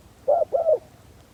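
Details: Spotted dove decoy used to lure wild birds, giving a single two-note coo, a brief hoot then a slightly longer mellow croo.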